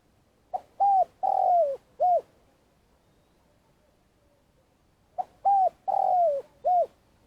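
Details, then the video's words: A Spotted dove kept as a tree decoy for trapping in Vietnam gives a long calling coo: two soft four-note phrases, the third note longest and slightly rising, about three seconds apart. "Cu gáy mồi cây - gáy gọi dài"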